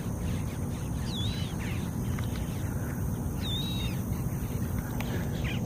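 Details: Swamphen chick in Florida, eating and calling to its mother: two thin, high whistled calls that dip and level off, about two seconds apart, over steady low rumbling wind or background noise.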